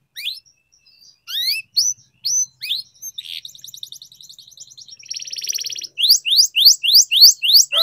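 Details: Canary song for training canaries to sing: scattered rising whistles, a soft rapid high roll, a dense buzzy trill, then a steady row of rising notes about three per second.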